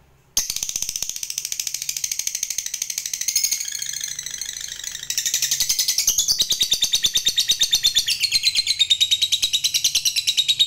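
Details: Long ngekek trill from a caged lovebird, played to draw other lovebirds into singing; after a brief silence a sustained, very fast stream of shrill high pulses runs for ten seconds, wavering in pitch, over a faint low hum.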